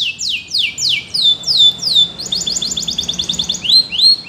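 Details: Canary singing as a training song: clear descending whistled notes, then a fast rattling trill, finishing with sharp rising notes, high and clean throughout.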